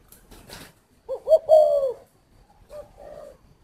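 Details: A brief rustle, then a Spotted dove from a Ba Vì, Hanoi aviary gives one rolling, hoarse coo phrase ending in a long falling note, followed by a soft, short coo.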